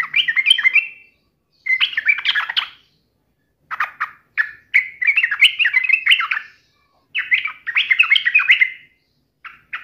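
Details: Provocative yellow-vented bulbul song aimed at a rival: repeated bubbly warbled phrases of one to two seconds with short pauses between them.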